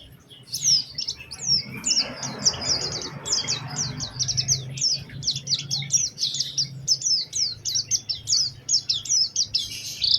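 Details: After a quiet start, an Oriental white-eye's lively lure song, with special phrasing to prompt other white-eyes, runs as a long, steady series of sharp, high sweeping notes, about four a second, over a low hum.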